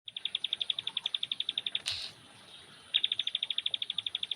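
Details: Young bar-winged prinia set out for light sunning, giving two fast trains of sharp, high, evenly spaced chips, about ten per second. A brief rustling break separates the trains, and a faint steady high hiss runs throughout.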